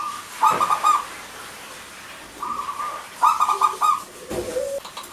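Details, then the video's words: Zebra dove, a local bird in full song, used to prompt silent male and female doves to sing: two rapid, rolling coo bursts with a held tone between them and a short low note at the end. "Perkutut Lokal Gacor,Suara Kristal Untuk Pancingan Yang Macet Bunyi Jantan Dan Betina."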